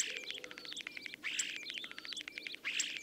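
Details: Common Starling song: a busy, rambling medley of whistles, clicks and rattling chirps, with short rising whistled notes and buzzy bursts running almost without a break.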